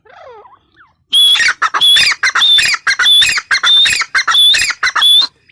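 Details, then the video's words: Female grey francolin giving loud, scratchy, rapidly repeated phrases in a steady rhythm after a brief faint wavering sound at the start. "Teetar awaz | teetar sound | gray francolin teetar sound | female teetar awaz"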